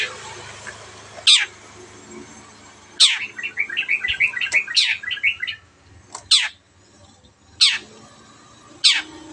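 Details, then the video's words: Long-tailed shrike, a cage bird used as a tutor for other birds, mixing loud harsh descending notes with a rapid run of short bubbling chattering phrases in the middle, then more spaced harsh calls. "MASTERAN BURUNG CENDET GACOR"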